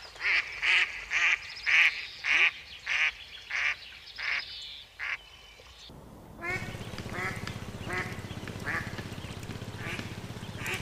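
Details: Duckling in a pond giving a run of about nine short, nasal, harmonic quacks spaced roughly every half second, followed by several seconds of steady rushing noise with faint calls beneath it.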